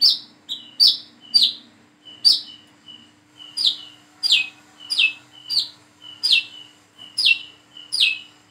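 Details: Plain-throated sunbird practising its song: a steady series of high, sharp, downward-sweeping chips joined by short level whistles, about two notes a second, clear over a faint low hum.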